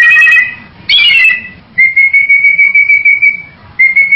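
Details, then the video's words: Bali myna producing rough, nasal calls followed by a long, steady, pure whistle held for nearly two seconds, then a short repeat of the same whistled tone. "SUARA BURUNG JALAK BALI"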